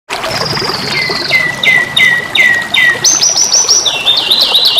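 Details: Young canary singing steadily: a high thin whistle, then rapid repeated downslurred notes, then a fast run of bright rising and falling trilled phrases, with a faint trickling background.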